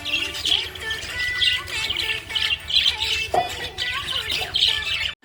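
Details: Cheerful budgie chirping in quick bursts of sharp, high twittering notes roughly every half second, over continuous background music.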